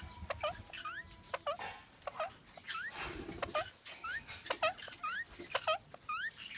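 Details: Indian ringneck parakeet during mating: short, bright upward-sweeping chirps with ringing overtones, repeated roughly once a second in uneven bursts, some overlapping, over a faint steady background hiss.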